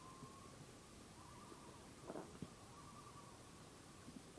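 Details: A common loon (Gavia immer) gives long, steady, mournful notes at a middle pitch, broken by short pauses, with a brief rustling thump midway over soft background hiss.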